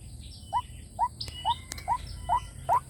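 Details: White-breasted waterhen calling on a lure recording for drawing in wild waterhens: six clean, short, upward-curving notes at roughly half-second intervals, with a couple of clicks, low hum and soft distant chirping.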